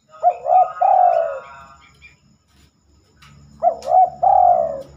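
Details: A spotted dove sings at night, which it seldom does. Two song phrases come about three seconds apart. Each is a quick rising double coo and then a long, slightly falling coo. Faint rustling fills the gap.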